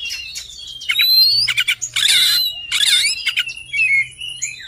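An Oriental magpie-robin sings a rich, varied run of clear whistles, slurred notes and two harsh, scratchy bursts, delivered rapidly over a faint low hum.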